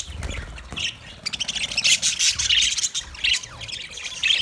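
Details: Budgerigars in an Australian aviary, a lively mix of high chirps, squawks and warbled phrases from several birds, steady and overlapping, with low background rumble.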